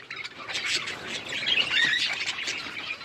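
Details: Budgerigars in winter rain give a blurred, continuous mass of overlapping chirps and squeaky warbles from several birds at once.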